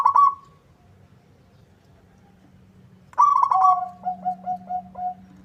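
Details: Local zebra dove singing vigorously to draw an answer from a rival: a short rolling coo, a pause, then a rolling phrase followed by five or six evenly spaced lower coos, over a steady low hum.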